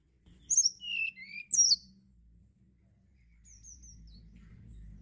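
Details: Sunda blue robin giving two quick phrases of high, swooping whistles, followed by a few faint high notes over a steady low background rumble.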